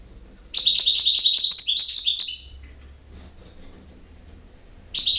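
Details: Goldfinch campero song: a fast, rattling run of repeated bright chirps about two seconds long, then a pause, a faint thin whistle, and the start of another burst.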